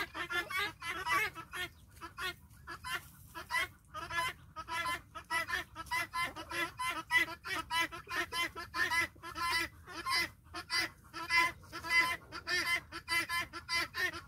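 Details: Guineafowl in a farm flock trailing after a hen: a long, dense stream of grating, buzzy calls repeating steadily at about one or two per second, several birds overlapping.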